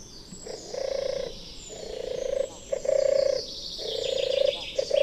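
A turtle dove gives a deep, soft purring 'turrr-turrr', each rolling phrase repeated about once a second, over a faint high hiss of distant birds or insects.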